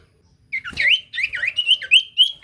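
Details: Lure song of a common iora, meant to make other ioras answer: after a short silence, a lively run of looping, warbled whistles that bend up and down, ending in quick rising notes.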